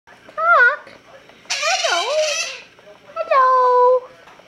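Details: White-fronted amazon talking, saying hello: three harmonic, parrot-voiced utterances, the first wavering, the middle one a harsher, noisier phrase with a swooping dip, the last a rising note held flat and steady, in a small quiet room.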